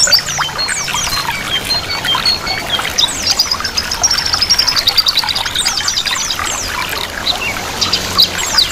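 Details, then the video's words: Several white-eyes twitter in a dense, high chorus of quick thin chirps and trills, over a steady background of running, trickling water, combined to encourage caged white-eyes to start singing. "Terapi pleci 100% mempercepat pleci buka paruh"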